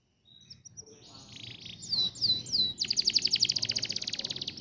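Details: Canary song played as tutor song to prompt canaries to sing: soft thin notes and a buzzy phrase, three looping downslurs, then a long rapid high trill of even repeated notes.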